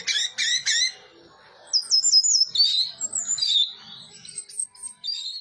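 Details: Orange-headed thrush in teler-style song: three quick stacked chirping notes, a pause, then a long, high, varied warbling run of twisting whistles and trills.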